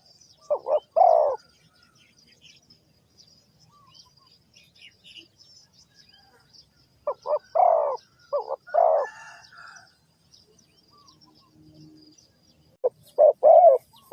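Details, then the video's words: Spotted dove (cu gáy) from Ninh Thuận, Vietnam, in a bird-trapping setting, giving low hollow coos in three bursts of short and drawn-out notes, with quiet gaps between phrases and faint high chirps in the background. "The Sound Of A Spotted Dove"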